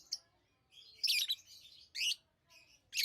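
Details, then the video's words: Lovebird chirping, with shrill, rasping chirps spaced irregularly, about four loud bursts over three seconds and fainter squeaks between them. "Love birds Sounds | lovebirds chirping sounds"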